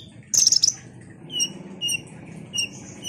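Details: Ruby-cheeked sunbird used to rouse other sunbirds: one shrill chirp burst, then thin high whistles repeated about every half second over a steady low background hum.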